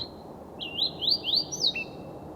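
A Fox Sparrow of the brown coastal form sings a brisk phrase: a clear whistle, three quick rising slurred notes, a high sweet note, then a lower burry ending.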